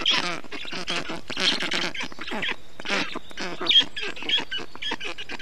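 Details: Nest of black storks in Estonia, 20 June 2021: the young call during heat as a parent keeps cooling them with water and wet moss; overlapping raspy, chattering calls with a few brief higher squeaks.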